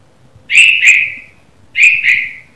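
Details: A red-vented bulbul gives morning calls: two bright, slightly slurred double-note phrases about a second apart, clear and mid-high in pitch, over a faint low background rumble.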